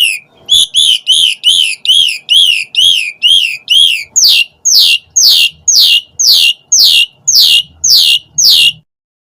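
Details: Lure recording of an Asian pied starling: a long series of about eighteen loud, rasping down-slurred notes, roughly two per second, the first half lower and the second half higher and sharper.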